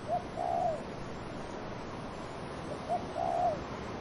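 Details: Two matching dove coo phrases about three seconds apart, each a brief low note leading into a longer, gently wavering coo, over a soft background of wind in trees.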